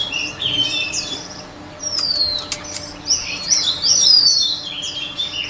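A white-rumped shama sings rich, varied phrases of sweeping whistles and quick chirps, high-pitched and changing from note to note, with a faint steady hum beneath.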